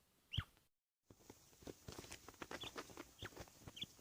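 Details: A quail readying for a fight, sparring with itself, gives a few short, high chirps spaced about a second apart, over steady clicking, scuffling and tapping sounds.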